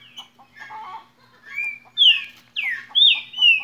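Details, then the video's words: Green-winged saltator in the "Cadê meu boi" song style: softer opening notes, then a level whistle and a run of loud, ringing, downslurred whistles near the end, with faint low background hum. "Canto Cadê meu boi"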